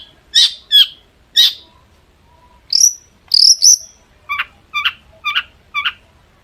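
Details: Long-tailed shrike, called cendet or pentet, singing to provoke rival shrikes to respond: a few harsh chirps, high sharp whistles, then four evenly spaced short downslurred notes.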